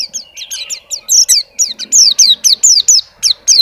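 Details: Caged white-eye in a lively show-style song: rapid high downslurred chirps and twittering notes, about four per second, bright and sharp, with a faint low hum beneath.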